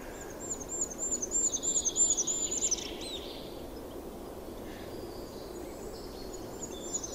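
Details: Goldcrest singing in winter: a very high, thin song of quickly repeated wavering motifs ending in a flourish, under three seconds, over steady background hiss.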